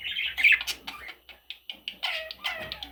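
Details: Parrot chicks squawking in short rasping bursts, a louder harsh call at the start followed by clipped scratchy notes repeated every fraction of a second.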